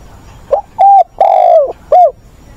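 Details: Caged spotted dove decoy, wild-caught voice, training newly caught doves on 20 August; one loud, clean coo phrase: short opening note, flat hoot, a long wavering coo that falls at the end, and a short final hoot.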